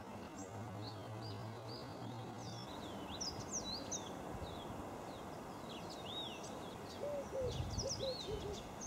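Fork-tailed drongo giving short, twangy, high chirps and rising-falling whistles at an irregular pace, with a brief series of low hoots near the end over steady background hiss.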